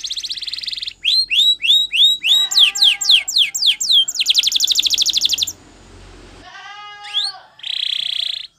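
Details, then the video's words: A canary sings a rapid, varied training song in Spanish Timbrado style: fast rising slurred notes repeated several times a second, then dense metallic trills and bright buzzy rolls. "Canary Singing CHAMPION for Training / Spanish Timbrado Song"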